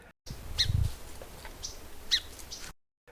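Song Sparrow giving two short, whiny 'chimp' call notes about a second and a half apart, with a faint low rumble underneath.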